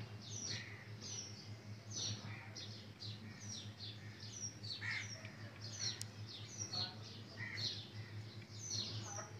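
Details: Chicks in cloudy morning weather giving a steady stream of high, short, downward-sliding peeps, several each second, overlapping as from more than one bird, over a constant low hum.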